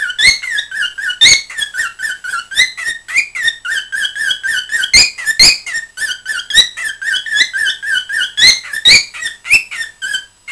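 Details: Cockatiel, a household pet, chattering on 20 December 2007: long continuous warble of fast, slightly buzzy whistled notes with frequent sharp clicks, rarely pausing throughout.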